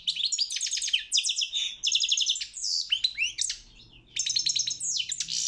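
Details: A European goldfinch sings in a world championship goldfinch song contest, a fast chain of liquid twittering and rolling trills with one brief pause just before the fourth second, and a faint low hum in the background.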